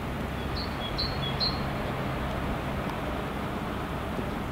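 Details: Two-syllable song of a great tit, Helsinki, Finland, February 2016, bird out of sight: three quick high two-note phrases in about a second, then quiet, with constant background traffic hum.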